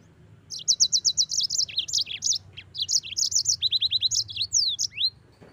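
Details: Yellow-fronted canary, known locally as mozambik, singing a lively, rapid song: fast runs of high repeated chirps and trills, then quick sweeping whistled notes, continuous for about five seconds with little background noise.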